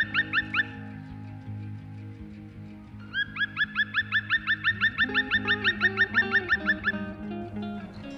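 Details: Black woodpecker, the largest local woodpecker, in snowy forest; its mocking laughing cry, a long run of ringing, slightly rising 'kwee' notes about three a second, as it flies off its perch when approached, over soft background music.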